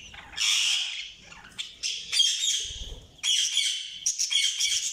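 Budgerigars chirping in bursts of high, raspy, warbling chatter with squawky notes.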